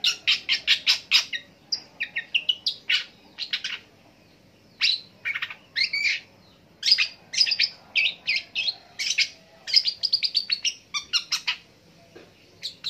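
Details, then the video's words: Long-tailed shrike singing at length, copying various other birds: quick bursts of high, sharp chirps and buzzy trills, broken by short pauses, then resuming in dense varied phrases. "PENTET NGEROL PANJANG ANEKA BURUNG DI TIRUKAN"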